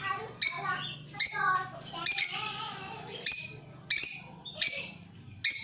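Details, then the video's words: Lovebirds answering each other in long chattering bursts meant as a lure; loud shrill squawks come roughly every second over a steady low electrical hum. "Buat Pancingan lovebirt cocok Saling nyaut dan ngekek panjang"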